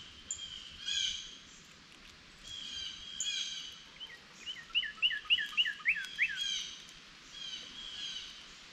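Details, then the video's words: Northern cardinal near a feeder, awaiting seeds dropping to the ground beside a feeding squirrel. Soft high chirps lead into a mid-recording burst of about seven loud, slurred whistles in quick succession, with other high twittering birds around. "Cardinal Bird Sounds"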